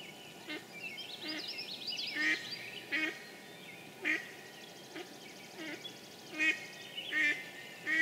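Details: Mallard recorded in spring at Sudbury, Massachusetts, on 9 May 2013: a run of about ten loud, nasal quacks, single or in pairs, under a second apart, with twittering songbirds and faint insect buzzing behind.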